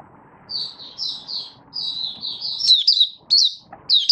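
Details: A captive Malaysian Oriental white-eye, not yet in form, begins singing on 1 August 2023: a fast, thin, high twittering warble of slurred notes, ending in a few sharper, louder chips, over a faint low hum.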